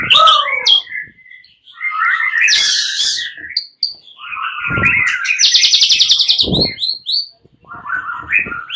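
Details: Several fighter white-rumped shamas answering each other and growing agitated, singing loudly (gacor): tumbling whistles interrupted by harsh buzzy rattles and a fast stuttering trill, with brief pauses and low thuds in between.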